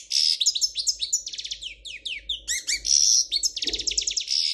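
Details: European goldfinch of the Spanish royal type, its song called error-free, delivers continuous fast, tinkling twitters mixed with buzzy trills and downward-sliding chirps, loud and unbroken throughout, over a faint low hum.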